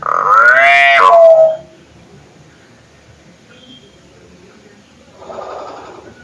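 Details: Hill myna call used to provoke other birds into calling: one loud, rising, harmonic screech lasting about one and a half seconds, then quiet, followed by a softer, rougher note near the end.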